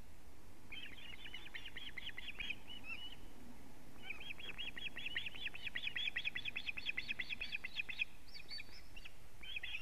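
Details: Osprey alarm calling at a nest in Latvia on 19 July 2017, 19:43, as the male brings a living fish: rapid series of sharp, high chirping notes in two long bursts, roughly two or three per second, with faint background hiss.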